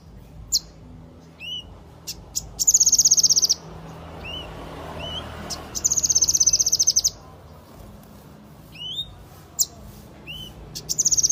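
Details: Yellow-eared spiderhunter in vigorous song, giving rapid high trills of sharp repeated notes lasting about a second each, separated by short upslurred whistled chips and pauses.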